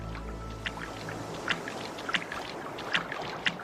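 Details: Only water sounds are heard: soft splashes and drips, like paddle strokes, over a low steady background hum, with no animal calls.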